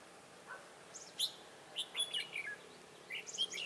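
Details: Red-whiskered bulbul singing as a trapping decoy on 15 March 2018, giving a soft note, then bursts of sharp, bright whistled chirps and warbling phrases that tumble downward, against quiet background hiss.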